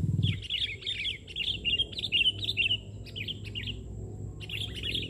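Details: Energetic sooty-headed bulbul singing at a bird-trapping site in Indonesia: rapid strings of bubbly chirps in repeated phrases, a short pause, then another burst.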